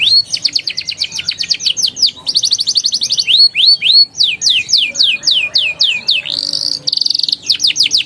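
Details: Canary song played to prompt young canaries to sing: a lively mix of fast buzzy trills and rising whistled sweeps in quick runs, with a brief held whistle near the end.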